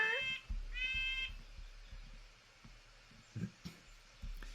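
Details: Red-breasted nuthatch call: two nasal, tinny, clown-horn-like notes, the second longer and even, followed by low voices.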